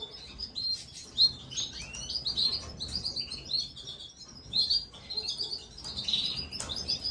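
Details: Feeding-time begging from Gloster canary chicks: insistent, high, squeaky chirps, some short upslurred notes, delivered in rapid irregular bursts with a few louder peaks.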